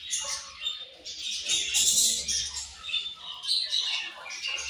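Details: Colony of budgerigars chattering at morning feeding time, many high twittering chirps and warbled notes overlapping continuously, with a low background hum.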